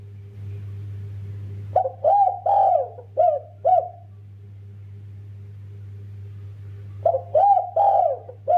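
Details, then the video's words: Active spotted dove singing in the kuk 2 style, consistent and melodious: one full phrase of short and long mellow coos, a pause of about three seconds, then another phrase begins. A steady low hum runs throughout. "Burung derkuku master gacor kuk 2 konsisten merdunya"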